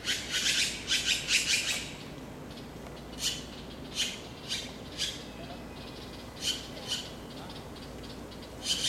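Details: Taiwan blue magpie during the breeding season, late April to late May 2013, while incubating, foraging, feeding young and guarding a fledgling fallen below the tree; harsh, raspy squawks, a fast cluster at first, then single rasps every half second to second, quiet background.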